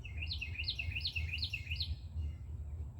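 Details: Carolina wren nesting on an outdoor shelf delivers a quick chant of about five identical rising-falling whistled phrases in under two seconds, clear above a low droning background.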